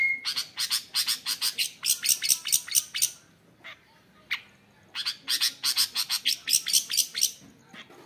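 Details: Caged long-tailed shrike giving rapid harsh chattering bursts, repeated about two per second in two long series split by a quiet gap with a few soft notes.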